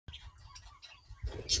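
A budgerigar gives soft, quick, high chirps and warbles in a brief run, over a low indoor rumble that ends in a loud rustling burst.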